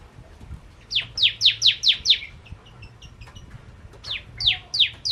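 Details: Bar-winged prinia in lively song used as a lure for crystal ciblek: a run of five loud descending chirps, a quieter gap with faint ticks, then another burst of three slurred notes.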